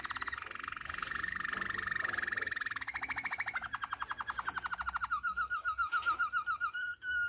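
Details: Malinois canary song from a fault-free tutoring recording for canary chicks: low, rolling water-like trills that shift speed and pitch, with two brief high whistled flourishes near the start and middle, ending in slower pulsed notes.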